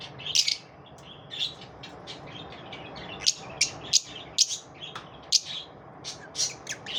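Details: Lovebirds after dawn: a loud squeaky burst opens, then irregular high chirps build into denser, overlapping chatter.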